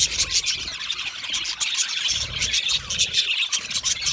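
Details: Australian budgerigars chirping in a colony, a sound made when happy and comfortable: dense, continuous high-pitched chatter and squeaky chirps overlapping throughout, with no pauses.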